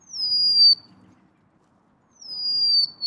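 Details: Golden-crowned sparrow giving two plaintive, high, down-slurred whistles separated by a pause of more than a second, against a quiet background.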